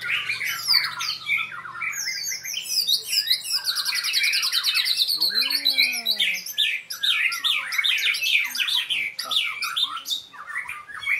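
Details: Caged white-rumped shama in a training bout, pouring out a dense, continuous medley of high whistles, buzzy trills and rapid chatter, with a lower drawn-out rising-falling sound midway and faint voices nearby.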